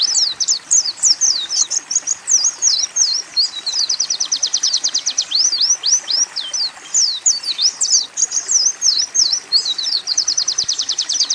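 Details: Extended Oriental white-eye training song with canary and sunbird phrases, lively high twittering of slurred notes broken by two long rapid trills, delivered almost without pause over faint hiss.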